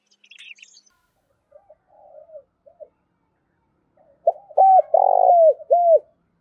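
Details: Spotted dove decoy bird giving urging and calling coos used to lure wild doves, with faint soft notes and a brief high chirp first, then one loud phrase: short note, arched coos, a long rough coo and a falling final note.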